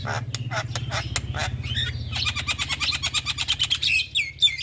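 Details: Javan myna in continuous chattering song for tutoring birds: spaced harsh notes give way to a fast, buzzy rattling trill with squeaky upslurred whistles at the end, above a steady low hum.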